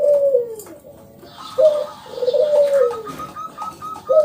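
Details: Zebra dove, a local bird singing strongly, gives long, falling, low coos between evenly spaced, clipped higher notes, with a faint hiss behind.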